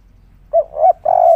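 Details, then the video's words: Spotted dove calling on a roof: a short low coo, then a slightly longer one, then a drawn-out steady coo, all soft and hollow. "derkuku tekukur kuk 3 ngamuk diatas genteng suara merdu dan langka"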